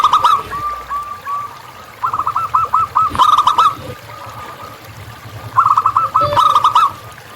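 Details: Wild local zebra dove singing steadily: soft isolated coos, then two lively runs of quick staccato notes several seconds apart, with scattered clicks and low rustle.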